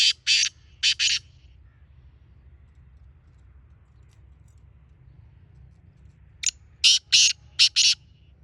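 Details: Two grating phrases from a black francolin (kala teetar): the end of one at the start, then after a long quiet pause a fresh series of five harsh, scratchy notes; low steady hum throughout.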